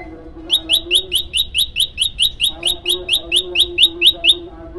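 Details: Long even string of crisp high chips from a hungry prenjak lumut singing eagerly, roughly four notes a second, with a low steady humming tone running underneath.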